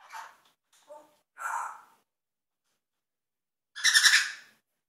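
An African grey parrot makes a few short mimicked sound effects: soft chirps and clicks, then a loud, harsh, raspy burst near the end.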